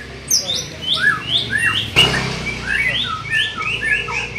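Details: Young white-rumped shama in training gives a series of short arched whistled notes, repeated roughly every half second at varying pitch, with a single sharp click midway and a light background hum.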